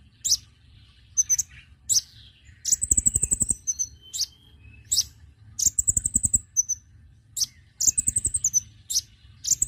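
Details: Konin bird lure call for attracting other birds: sharp high chirps and fast rattling trills of a dozen notes, with thin whistled notes in between, repeated in bursts over a quiet low hum.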